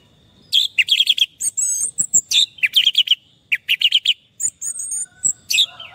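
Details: Orange-headed thrush song from a stressed bird that has stopped singing: a busy, varied stream of high chirps, trills and thin sustained whistles, delivered in short bursts with brief gaps.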